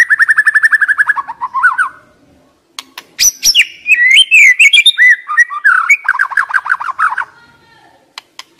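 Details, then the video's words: White-rumped shama song played as a lure to stir young wild-caught shamas that are stressed and silent: a fast rattling run of clear repeated notes, then rich warbled and whistled phrases, a pause, and another quick trill. "Pancingan MURAI BATU Muda Hutan, Stres, Macet Nyaut Cuma Hitungan Detik"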